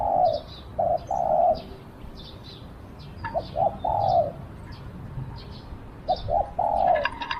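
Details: Spotted dove as a decoy used to attract wild doves: three soft coo phrases, each two short notes then a longer falling coo, a few seconds apart, with scattered high chirps of other birds.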